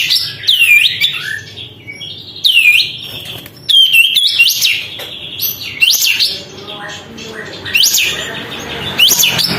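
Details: Lively sooty-headed bulbul with tail fanned, singing to provoke other birds: bright looping whistles with quick downslurs, given in phrases roughly every two seconds, with soft chatter between them.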